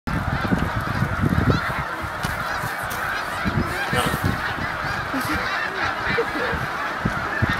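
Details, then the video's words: Hundreds of snow geese landing on Cayuga Lake fill the air with a constant overlapping chorus of high, nasal honks and yelps, over a low rumble of wingbeats and wind. "Snow Goose Spectacle"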